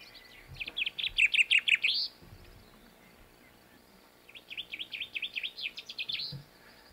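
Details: Common chaffinch from the Canary Islands sings two bright, high phrases of quick repeated chirps, each about two seconds, in a reduced, more chaotic structure than mainland European chaffinch song.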